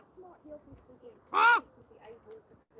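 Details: A captive Common Raven being carried over in an arena gives one loud, harsh, croaking call lasting about a quarter second, while a person talks quietly before and after.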